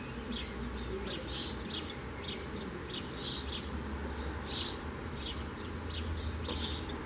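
Common swifts giving shrill, high screaming calls in rapid repeated bursts, several birds calling throughout, over a low steady rumble.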